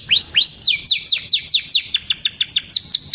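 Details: Canary giving a couple of curved whistles, then a fast stream of steeply falling chirped notes repeated in even succession.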